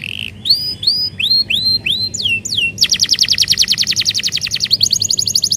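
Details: Canary song played to stimulate silent canaries: a series of rising whistled notes, a few falling slurs, then a fast, even trill of buzzy high notes.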